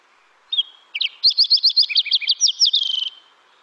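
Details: A Fox Sparrow from the Lake Tahoe area sings a rich, quick run of slurred whistles and dipping notes, including a "dipsy do" phrase, over about two and a half seconds, closing in a brief buzzy trill.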